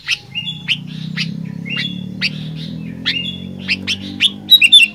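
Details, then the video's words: Sooty-headed bulbul (kutilang) singing in the gacor fighter style: sharp chirps alternate with short whistled phrases, repeated about every half second over a steady low hum, ending in a burst of louder squeaky notes. "Kicauan Kutilang Gacor Fighter"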